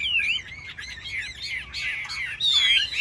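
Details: Caged Chinese hwamei in a singing contest, delivering dense, tangled warbling with overlapping slurred whistles and a bright sustained note near the end.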